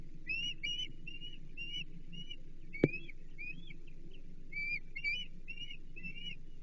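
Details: Osprey calling at a Chesapeake nest during feeding, 15 April 2024: clusters of high, sharp, upslurred chirps in uneven bursts, one loud click near the middle, steady low hum beneath.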